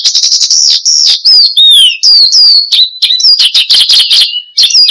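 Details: Bushlark known locally as branjangan, singing steadily as training and lure material for cage birds; a buzzy high trill, then drawn-out downslurred whistles, followed by quick mixed twitters and chirps.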